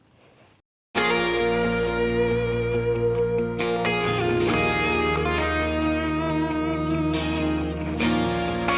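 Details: A moment of quiet, then steady plucked and strummed guitar music with sustained notes throughout.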